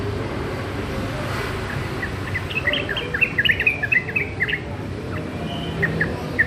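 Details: Juvenile sooty-headed bulbul practising song, giving a brief cluster of quick, chattering twittered notes midway through, then a few isolated chirps, against constant low-pitched background hum.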